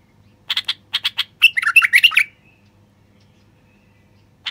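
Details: Song of a male common bulbul meant to stimulate quiet wild bulbuls to sing. A quick run of chirps leads into a rolling warbled phrase, then silence.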